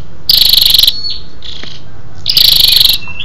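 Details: Calling female Scarlet-backed flowerpecker, recorded as lure sound to stimulate males: two high, rapid, buzzy trills about two seconds apart, with a soft, thin note between them.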